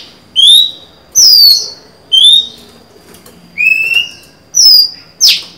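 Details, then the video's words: Female Oriental magpie-robin kept as a cage bird, singing to draw a male, 23 July 2020: separate clear whistled notes, each slurring up or down, spaced about a second apart, ending with a rasping burst. "Chòe than mái mới: 23/7/2020; hót hay, kích bổi máu chiến!"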